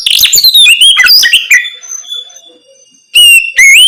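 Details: Oriental magpie-robin delivering ngeplong song at night as a lure for untrained birds: a dense jumble of loud whistles and chips that trails off into quiet, then two clear upslurred whistles.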